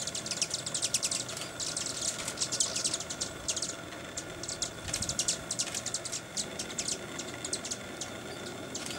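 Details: Broad-tailed hummingbirds at Sandia Crest in the Sandia Mountains on August 7, 2011, giving very high, dry ticking chips in quick bursts that come and go, over a steady low hiss of outdoor background noise.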